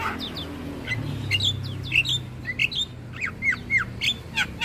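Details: Javan myna song used to train other starlings, sung with head-bobbing: varied short whistled slurs, squeaks and chirps at irregular intervals over a steady low hum.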